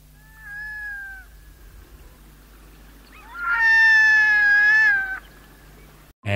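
Red-throated Loon giving two drawn-out, nasal, cat-like wails: a short one, then a louder, steadier one lasting nearly two seconds. A click ends it.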